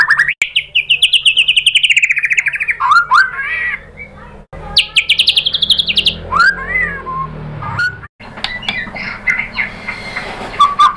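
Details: Song phrases of a white-rumped shama, played to coax rival birds into singing back: a rapid rolling trill sliding upward, then separate rising and falling whistled swoops and short loud bursts, with brief pauses between phrases.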